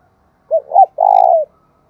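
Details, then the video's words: Cooing of a spotted dove kept as a lure for wild doves: two quick soft notes, then a long throaty coo dropping slightly at its close, with nothing else heard. "chim cu mồi gáy hay dùng kích bổi rất hiệu quả"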